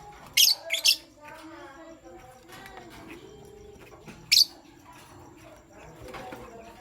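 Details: Lovebirds, a pastel gray and a green one, chirping in the morning: two quick piercing chirps, a pause with soft background murmur, then one more shrill chirp.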